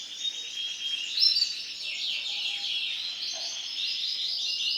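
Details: Yellow female canary giving a dense, continuous high twitter of overlapping fast chirps and trills that shift up and down, with one brief louder peak just after the first second.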